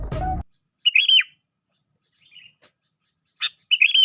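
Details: Sooty-headed bulbul lure call without filler: short bright warbled phrases of two or three slurred notes, separated by pauses of about a second, with a brief low thump at the start.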